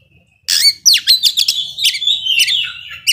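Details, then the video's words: Caged Oriental magpie-robin in energetic song, a bird meant to provoke slower birds into emotion: silence, then rapid high whistles, sharp downslurred notes and buzzy trills in a dense run. "Kacer gacor ngobra bisa memancing emosi kacer yang lambat emosi"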